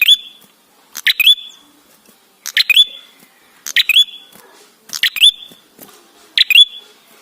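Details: Lure recording of an ashy tailorbird, meant to make birds sing quickly: five evenly spaced, emphatic phrases, each a dry burst sliding into a bright, high whistle.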